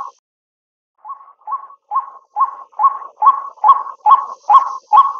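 A White-breasted Waterhen gives harsh, nasal croaking notes, a little over two per second, that grow steadily louder. No other sounds intrude.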